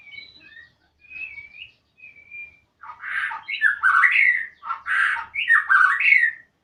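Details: Chatty magpie-robin song that opens with a few soft, level whistles, then breaks into loud, grating, twisting phrases in quick bursts, several notes per second, in a quiet setting.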